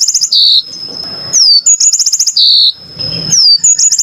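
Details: Yellow-fronted canary (Mozambik) in a very clear recording, repeating a pattern twice: a rapid high stuttering trill, a buzzy note, a long level whistle, then a sweeping downslurred whistle.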